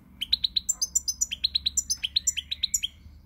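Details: European goldfinch song recorded 20 March 2020: a fast, lively run of bright, clipped twittering notes, roughly six per second, switching between mid-pitched chirps and higher tinkling notes, over a faint low background hum.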